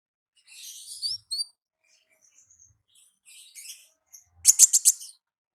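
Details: Wild olive-backed sunbird giving high, thin buzzy notes and short whistles, ending in a fast burst of five sharp ticks, otherwise quiet.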